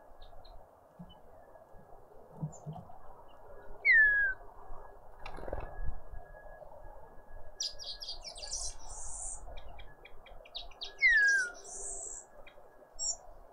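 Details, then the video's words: Birds visiting a feeder in a suburban garden in Pretoria, South Africa: a clear, loud downslurred whistle is heard twice, several seconds apart. Between them come bursts of high, scratchy twittering over faint background noise. "Enjoy the colours and sounds of South African Birds"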